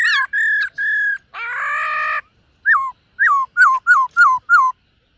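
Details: Silver-eared laughingthrush in morning song training: a few level whistles, then a harsh, buzzy, broad rasp, then a rapid series of about seven short, down-slurred whistled notes, roughly three per second. No other sounds.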